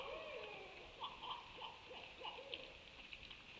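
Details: Owls heard on 26 January 2020 give a series of short hooting notes, some rising then falling, spaced irregularly across a few seconds against a constant shrill background drone.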